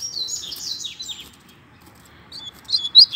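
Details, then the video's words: Double-collared seedeater (coleiro) in a singing contest between two birds: a burst of high, quick warbled notes, a quiet pause, then a few sharp, bright chirps at the end. "Coleiro Disputa de Canto"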